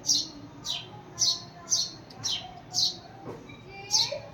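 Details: House sparrow calling to bring another sparrow back: eight high, clipped chirps at irregular intervals of roughly half a second, with faint low murmuring underneath.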